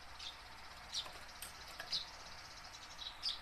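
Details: Tame house sparrow, used to lure wild-caught sparrows into singing. It gives sharp, high, brief chirps, about five scattered irregularly over a few seconds, against a steady background hiss.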